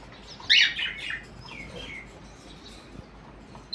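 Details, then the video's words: A single loud, grating parrot squawk in the morning, trailing into softer scratchy notes, followed by near quiet. "Parrots morning video"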